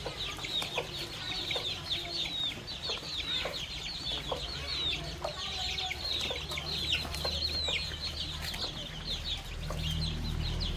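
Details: Farmyard flock of baby chicks and young chickens feeding on termites in the countryside: many thin, high peeps chirp rapidly and overlap without pause, punctuated by sharp pecking clicks over a low rumbling background.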